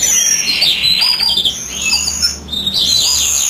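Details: European greenfinch song during incubation by the female: a steady stream of high twittering and buzzy notes, slightly softer in the middle before rising again.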